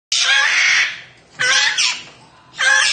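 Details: Large grey parrot giving three loud, harsh, raspy screeches, each under a second, spaced about a second apart, in a small indoor room.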